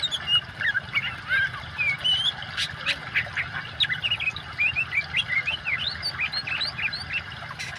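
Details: Busy oriental magpie-robin song mixed with water, used to stimulate birds that have gone quiet; dense rapid series of rising whistles and chirps, a few clicks, all over a continuous rushing water background.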